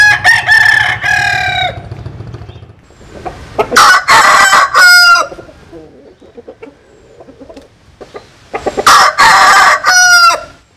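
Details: Crowing roosters, Vietnamese and American Sil chickens: an opening crow, then a loud broken crow in several pulses, a quiet stretch with scattered clucks, and a final loud pulsing crow.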